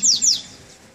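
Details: Double-collared seedeater, a male just coming out of moult on its first outing in cool weather, gives two quick, very high whistled notes, each sliding steeply downward, one right after the other before the song breaks off.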